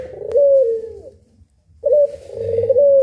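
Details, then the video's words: {'text': 'Puter pelung dove, one of two birds in a tutoring recording for songbirds, giving two long, low, resonant coos separated by a second of silence, each note held and gently wavering.'} "PUTER PELUNG MASTERING || SUARANYA BIKIN MERINDING"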